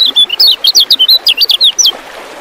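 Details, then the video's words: Brief twittering phrase from a lemon-bellied white-eye (kecial kuning), used to lure contest birds into song: about a dozen fast, high, slurred notes in under two seconds, clean and loud. "KECIAL TERAPY KEMBALIKAN SUARA ALAM MADANGIN"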